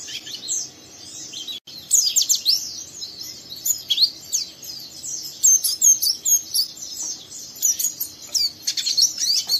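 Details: Rough twittering 'ngeriwik' song of a young oriental white-eye stirring another white-eye to sing; a quiet start, then rapid high scratchy chirps and downslurred whistles in busy bursts.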